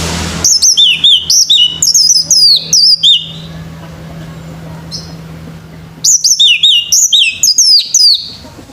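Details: Male orange-headed thrush singing in the morning: long bursts of quick, bright whistled notes, each sweeping down in pitch, repeated about four per second, then a pause and another rapid phrase; steady low hum behind.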